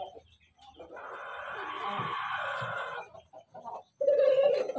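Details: Ayam ketawa or ayam pelung rooster: a long, sustained, harmonically rich crow of about two seconds that holds steady and then fades, followed by short broken notes and a loud final burst.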